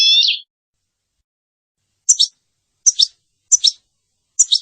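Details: A goldfinch-canary mule (male goldfinch × female canary, sterile) gives a bright, buzzy high phrase, then four short twittering notes spaced under a second apart, all high-pitched with silence between.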